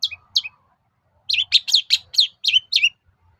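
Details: Long-tailed shrike lure song to prompt replies from other shrikes: two high downslurred notes, then a rapid run of seven bright falling whistles.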